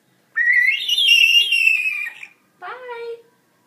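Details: Female African grey parrot chick, 14 weeks old and kept as a pet, learning to vocalise: a long whistle that climbs then slowly falls over about two seconds, followed by a short harsher, lower call.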